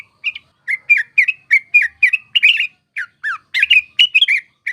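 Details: Yellow-vented bulbul singing a lively lure song used for bird trapping, with irregular runs of warbled, slurred chirps and a few higher notes toward the end.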